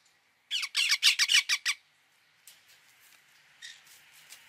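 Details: Indian ringneck parakeet calling: a fast burst of about eight harsh, loud screeches in just over a second. Softer, scattered chattering notes follow after a pause.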